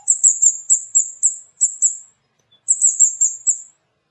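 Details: Burung cabai, a flowerpecker, chattering loudly: a quick string of sharp, high-pitched 'cit' notes, a silent gap of about a second, then another short burst of the same thin notes.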